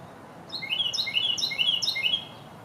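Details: Singing Carolina wren at a favoured New York site: after a short quiet moment, a rich run of about six rapid, repeated rolling phrases, clear and loud.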